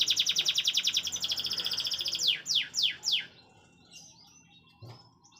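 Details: Canary song used as a tutor recording for training oriental magpie-robins: a fast, even trill of high chirps for about two seconds, then four loud, sweeping downslurred notes, followed by softer scattered twitters.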